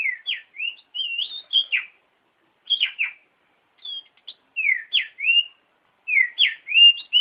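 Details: Oriental magpie-robin song, played as a master recording for training other songbirds: bright whistled and chirped phrases, short rising and falling notes in quick bursts, with brief pauses between phrase groups; no other sounds.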